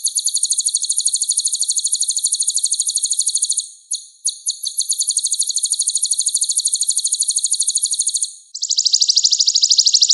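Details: Sunbird in full song, recorded as a training track for songbirds: very high, thin trills of rapid repeated notes, about three per second, running long and steady, a short break, then a denser buzzier trill at the end.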